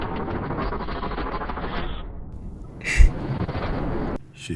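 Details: Dense rumbling noise, then a sharp bang like a gunshot and a sudden cut, with no animal sound.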